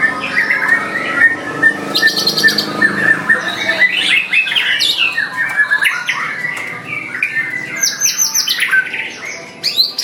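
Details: A white-rumped shama sings a dense, varied stream of chirps, rapid trills and sweeping whistles. Constant background noise runs underneath.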